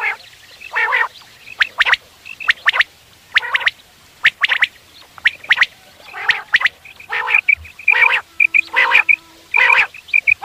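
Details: Quail sounds for morning hunting. Rapid sharp notes in quick clusters, interspersed with grating harmonic bursts and faint whistles, with a thin steady tone partway through.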